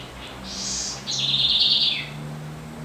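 Southern house wren giving a high, bright twittering phrase, then a longer rapid trill sliding slightly downward at the end; faint low hum underneath.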